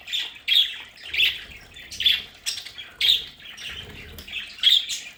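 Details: Domestic budgerigars kept at home in a decorated play area, calling with loud, grating squawks in separate bursts roughly once a second, separated by brief quieter chatter.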